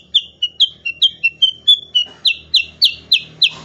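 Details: Cucak kurincang, of the kutilang family, in 'gacor' song used to train songbirds: alternating high sharp chips and slightly lower notes, about four per second, turning louder and broader toward the close.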